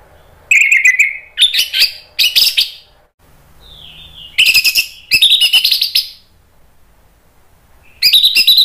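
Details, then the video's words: Orange-headed thrush ngeplong song phrases used to coax other birds into answering: bursts of rapid, rattling high notes with a brief soft whistled slur between them, separated by short silences. "PANCINGAN ANIS MERAH biar ikut NYAUT jadi BUNYI GACOR NGEPLONG"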